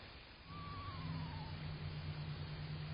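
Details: One of two screech owls, possibly an adult and a fledgling, visiting a backyard bird puddle in June gives a quavering horse-like whinny that slides downward over about a second, over a steady low hum.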